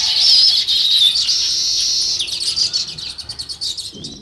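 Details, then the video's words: Sparrows chirping in a natural setting, a dense run of high, bright chirps packed closely together, fading into softer scattered notes near the end. "Natural Sparrow View and Sounds | Chirping Sounds"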